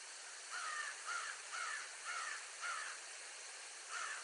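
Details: Bald eagle giving a series of six short, squealing call notes, each slightly rising then dropping, spaced about half a second apart, over a steady loud hiss.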